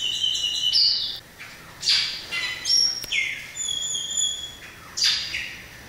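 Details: Variable oriole (inhapim) singing: clear whistled notes and buzzy, slurred phrases at roughly one-second intervals, with a few long, steady high tones held between them over a quiet background.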